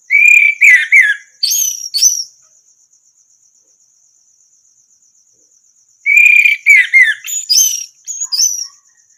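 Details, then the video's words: Training song of an orange-headed thrush, played to get birds that have stopped singing to respond: clear whistled notes slurring downward, a high rising whistle, a silence with a faint insect trill, then the same phrase repeated. "masteran burung anis merah macet bunyi langsung nyaut gacor"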